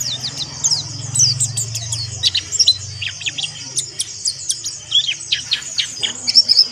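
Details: Caged mountain white-eye singing harsh 'ngeriwik kasar' chatter, played to stimulate and rile rival white-eyes; rapid bursts of high, piercing chirps and short twitters repeat steadily over a faint low electrical hum.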